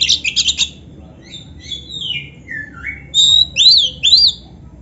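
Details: Oriental magpie-robin singing actively in a tutor recording with full canary-style fill-in phrases: a burst of rapid high notes, then slurred descending whistles, and loud rising-falling whistled notes near the end.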